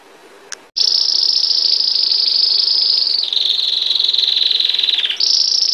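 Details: Belgian canary in bell-like campainha song: a faint click and brief pause, then a loud high sustained trill that drops to a lower roll midway and jumps back higher near the end.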